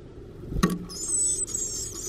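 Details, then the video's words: Black-capped chickadee nestlings in a backyard nest box, fed by their two parents: a knock, then a thin, very high, steady whine of begging from the hungry chicks that trails on for about a second. "Baby Birds in Nest HUNGRY - Black-capped Chickadees Feeding Their Babies"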